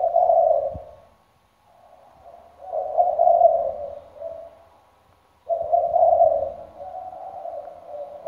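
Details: Decoy spotted dove with a full repertoire, cooing day and night in a deep 'thunder-bronze' voice; three mellow, hollow coo phrases of varying length with quiet pauses between them.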